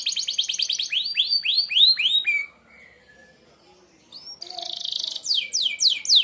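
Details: Sharp 'merlok' shot song of a canary, meant for training other birds: a rapid buzzy trill turns into strong rising whistled notes, a near-silent pause, then a dense buzzing burst and renewed upslurred whistles.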